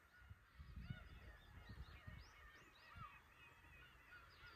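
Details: Black-tailed Gulls at Horozuki fishing port in Imabetsu, Aomori, Japan: many overlapping mewing, arched calls from a flock, with the low rumble of waves and some thumps beneath.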